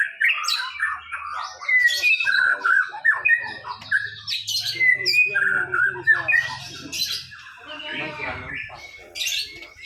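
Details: White-rumped shama, first-place winner of a songbird contest, singing a rapid, varied stream of whistled and chattering phrases with quick shifts in pitch, over a low hum.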